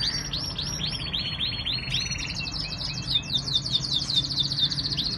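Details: Canary song from Islamabad, Pakistan, with looping whistled notes, a rapid rolling trill, then bright chattering phrases high in pitch, with constant low background rumble.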